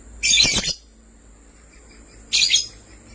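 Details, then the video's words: Sky blue opaline and green opaline lovebirds chirping in two short, harsh, high-pitched bursts about two seconds apart, with near silence between them. "Lovebirds chirping sounds"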